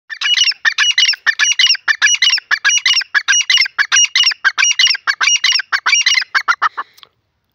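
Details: Grey francolin, a Sindhi teetar, calling while playing in the soil. Loud, harsh, squeaky notes come in rapid, rhythmic bursts, about fourteen in seven seconds, and run without pause until the calling stops abruptly. No other sounds are heard.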